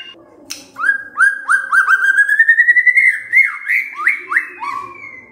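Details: Lure song of a white-rumped shama to provoke birds into singing their repertoire: a rapid string of upslurred whistles rising gradually in pitch, then several louder swooping notes falling away.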